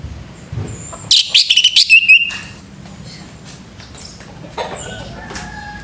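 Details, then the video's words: Male orange-headed thrush, morning: one loud, dense burst of high chattering whistles lasting about a second, then quieter faint calls and background hiss. "SUARA ANIS MERAH PAGI HARI"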